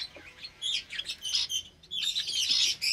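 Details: Java sparrows in an aviary cage with recently hatched chicks, on a Sunday morning in May 2022: dense overlapping high chirps and short metallic tweets from several birds, nearly continuous with brief pauses.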